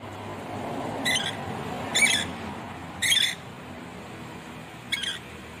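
Red lory giving four harsh, grating screeches, each brief and spaced one to two seconds apart, over a steady low background hiss.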